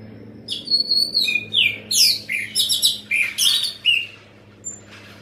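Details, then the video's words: Orange-headed thrush in full loud voice, mixing sliding whistles, downward swoops and scratchy high notes in a fast, varied, nearly continuous phrase, a low electrical hum beneath. "Anis merah gacor volume keras"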